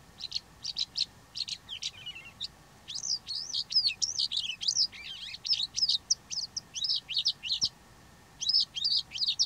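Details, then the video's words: Calandra lark in sustained song, pouring out a fast, jangling stream of high, scratchy chirps and whistles with brief pauses between phrases. "Το τραγούδι της γαλιάντρας / Melanocorypha calandra singing"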